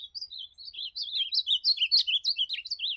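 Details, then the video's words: Ultramarine grosbeak (azulão) singing in the campeada style: a fast, loud, continuous warble of slurred whistled notes that swoop up and down, densely packed over three seconds, with a clean, quiet background. "Campeada de Azulão"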